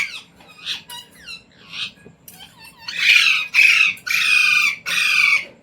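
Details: Pet Indian Ringneck parrot that has been taught words like "mummy", "mitthu" and "roti roti"; soft chattering, whistle-like notes lead into a run of loud, harsh, repeated screeches.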